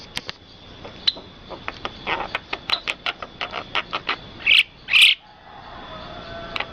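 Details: Birds in rice fields: a long series of short dry ticks repeated about twice a second, broken by two loud, rich chirps near the end.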